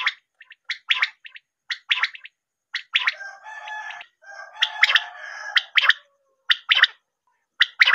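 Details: Quail call for hunting: a series of clipped, harsh chattering notes, then a longer rolling, buzzy stretch in the middle, then more spaced chatter notes. The recording is clean.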